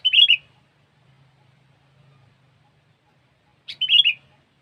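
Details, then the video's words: Sooty-headed bulbul song for bird-luring: two chirpy, liquid whistled phrases about three and a half seconds apart, each a rapid tumble of notes. A faint low rumble runs beneath. "Suara Burung Kutilang"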